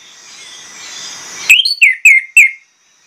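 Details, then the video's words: A single short phrase from an orange-headed thrush: four strong, clear whistled notes, each dipping quickly in pitch, coming after a stretch of faint background hiss. "PANCINGAN ANIS MERAH PLONG NGOTOT BONGKAR ISIAN"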